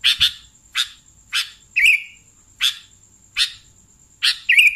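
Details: Sooty-headed bulbul calls for catching bulbuls: sharp scratchy chirps about every two-thirds of a second, two followed by short buzzy trills, with a constant thin high whine in the background.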